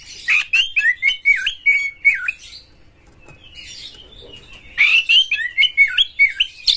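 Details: White-rumped shama known as kacer pouring out coarse prompting song for other shamas: rapid series of dipping, looping whistles about two per second, a brief quiet gap, then the run resumes.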